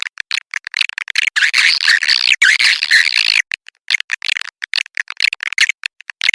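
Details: Swiftlet call used as a lure to attract the birds: an extended buzzy twittering run in the middle, framed by rapid sharp clicks and short chirps.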